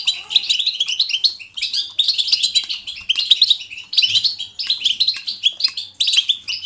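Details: European goldfinch singing in the natural, lively 'batbata' style, meant to encourage a goldfinch to sing: dense, rapid twittering phrases of bright tinkling notes, delivered in bursts with brief pauses roughly every second.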